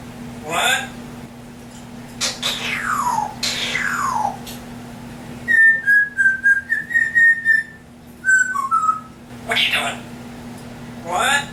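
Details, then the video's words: Pet African grey parrot indoors, mimicking sounds: long falling whistled swoops, then a quick run of short, pulsed whistled notes at one steady pitch, a few more clipped whistles, and a final rising swoop over a low constant room hum. "African grey parrot talking compilation"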